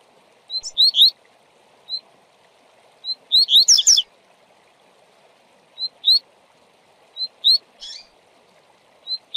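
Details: Double-collared seedeater in fast tui-tui song for teaching tournament birds. Paired high chirps repeat between a dense burst of five rapid whistled notes, with crisp repeated two-note phrases toward the end. A low hum continues throughout.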